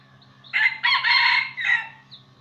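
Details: Red junglefowl decoy rooster crowing to provoke and lure wild roosters: one loud, raspy, harmonic crow of about 1.4 seconds, a short opening note, a brief break, a long sustained middle phrase and a clipped closing syllable, over a faint low hum.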